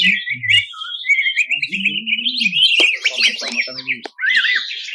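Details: A greater green leafbird, national champion in 2021, delivers rough 'ngebren' bursts: a continuous run of quick, slurred, wavering high notes, broken by short sharp clicks and a brief pause near the end.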